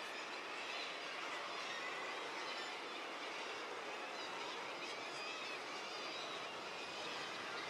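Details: A steady, even broadband hiss like white noise fills the whole stretch, with no animal calls.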